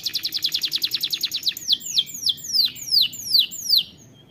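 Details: Canary song meant to stimulate lazy birds into singing, opening with a fast even trill of about fifteen bright notes, then slowing into six loud, sweeping down-slurred whistles roughly every third of a second, over a low background hum.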